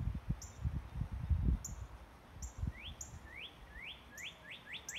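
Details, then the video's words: Sunrise birdsong with rising whistled notes that start sparse and quicken toward the end, high short tones scattered above, and low thumping noise early on. "birds bringing up the sun with their song"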